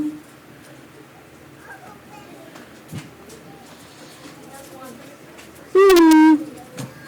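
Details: A captive Eurasian eagle owl, brought to a library talk, gives one loud, deep hoot of about half a second, dropping slightly in pitch, after quiet indoor room noise and soft voices.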